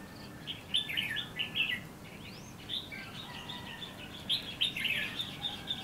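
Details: Red-whiskered bulbul decoy in a trapping setup among bushes, Lương Sơn, Hòa Bình, Vietnam. Runs of quick, bubbly warbled notes come in clusters. One upward-sweeping whistle and faint high twitters from other birds are heard in the background.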